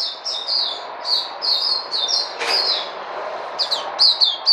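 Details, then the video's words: Puteh, a caged white-eye, sings spaced high slurred chirps in short runs, with a brief broadband clatter midway and a hissing room background. "Puteh Crazy"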